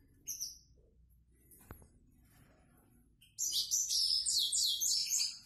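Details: Grey-headed goldfinch singing the simple song style known as 'prostyak': a brief high note near the start, then from mid-clip a dense, rapid twittering burst of high, buzzy and tinkling notes running to the end.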